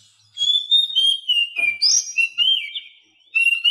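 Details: Oriental magpie-robin song with imitated 'isian' phrases, from a tutor recording for mute captive birds that are reluctant to sing and learning to twitter. Sweet whistled warble of slurred, wavering notes runs almost continuously, then stops briefly before a final note.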